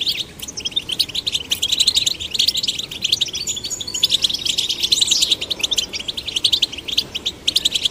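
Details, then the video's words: Goldfinch chicks of both sexes, kept in a cage and stimulated to sing, deliver continuous high twittering with rapid trills, chirps and a sweeping slurred note midway. "Stimulating male and female goldfinch chicks to sing birds chirping"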